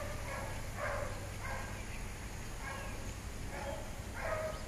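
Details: Peach-fronted parakeet feeding on flowers at Pouso Alegre in the Brazilian Pantanal: a few harsh, nasal calls spaced irregularly over steady hiss and a low rumble.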